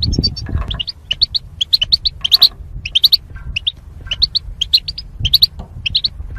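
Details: Goldfinches caged in pairs for mating give lively, high, repeated chirping phrases in tight clusters, a few louder bursts, over a low rumbling background.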